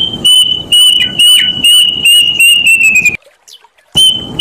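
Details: Kedasih, the plaintive cuckoo, repeating sharp whistled notes at a quick steady pace, each a touch lower than the last, the run ending after about three seconds before a brief silence and a fresh high note; loud, somewhat distorted sound.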